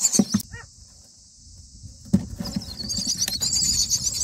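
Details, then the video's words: Common myna chicks beg in the nest as the parents bring food such as a grasshopper, day 9: a steady, high, hissing wheeze that swells near the end, broken by a few sharp clicks and knocks. "Myna feeding baby birds"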